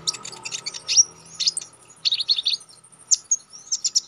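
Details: Konin, a tutor recording for contest songbirds: fast, high, scratchy chirps in clusters, with brief whistled slurs and short pauses between bursts.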